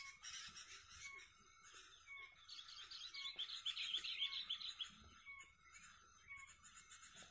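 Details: Sooty-headed bulbuls in a lure-bird fighting session: dense, overlapping high chirps and twittering phrases, with a brighter burst of rapid repeated notes midway. Several birds appear to be calling at once over faint background noise.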